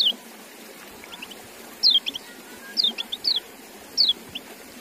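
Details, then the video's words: A kept white-eye (kecial) gives thin, high, down-slurred chirps in short bursts of two to four notes, spaced about a second apart over a quiet background hiss. "Relaksasi Suara Kecial"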